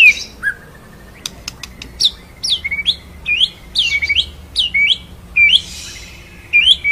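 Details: White-rumped shama delivering rolling, shooting song. Sharp high whistled notes, often rising or twisting, given singly or in pairs with short gaps, mixed with a few clicking ticks. Background quiet apart from a faint low hum.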